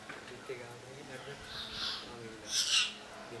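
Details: Southern hill myna in Sri Lanka gives a loud, harsh, high-pitched burst near the end, with a softer rasp before it, over a low murmur of human voices.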